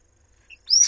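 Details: Common swift chicks, three in a nest in Jerez de la Frontera, Spain, attacked by an intruder while parents were absent: a faint short chirp, then a loud, shrill, high screech starting abruptly and held briefly.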